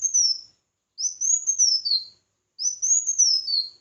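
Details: Red-whiskered bulbul in competitive song: two full, rich warbled phrases, each climbing quickly, rippling along high and ending with a lower downslur, separated by a short silence.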